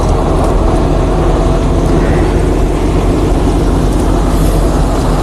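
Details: Steady loud engine rumble of a running vehicle fills the whole recording.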